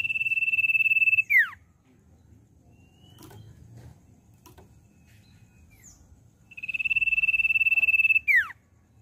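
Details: Common iora song used as a lure to get a young iora singing quickly: a long, steady, pulsing high whistle ending in a sharp downward slur, given twice with a quiet pause between.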